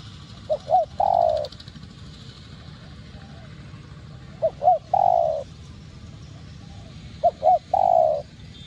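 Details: Spotted dove cooing in the 'giọng đồng' style to lure and stimulate other doves: three evenly spaced phrases, each two short hoots and a longer coo, over a steady background hiss.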